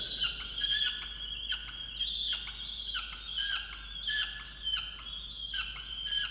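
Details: Peregrine falcon at its nest box in a water tower, Orange, Australia, 8 November 2022, scolding its mate for not bringing breakfast; loud, grating, harmonic cries, sustained with rhythmic sharp breaks about every second.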